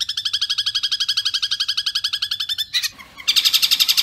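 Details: Long-tailed shrike singing a fast 'kuntilanak sambung gereja tarung' style, used as a master recording for training caged birds: rapid, evenly repeated high chattering notes for almost three seconds, a short pause, then another quick burst of bright notes.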